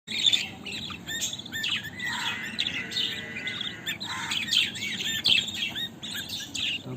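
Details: Six budgerigar chicks chirping together in a busy, high-pitched chatter of overlapping squeaky notes.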